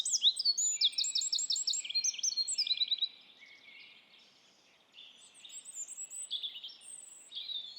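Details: A Eurasian wren in Estonia pours out a loud, very fast song of high, sharp notes and rattling trills for three seconds, followed by softer, thinner phrases.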